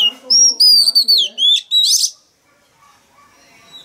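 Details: Male Oriental magpie-robin singing loudly to rouse a young wild-caught bird into answering: a fast run of clear, sliding whistles and bright warbled notes lasting two seconds, followed by quiet; faint low murmuring underneath.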